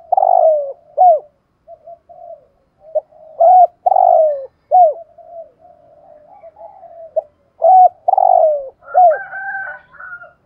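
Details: Decoy spotted dove, 'giọng thổ' style, cooing: repeated low phrases combining a long falling coo with sharp hooked notes, separated by soft murmuring, ending with a slightly higher wavering sound.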